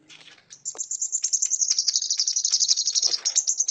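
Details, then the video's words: A brown-throated sunbird sings a thin, very high, rapid twittering, with sharp chips running almost three a second in a dense, unbroken stream. "Kicauan Burung Kolibri Kelapa"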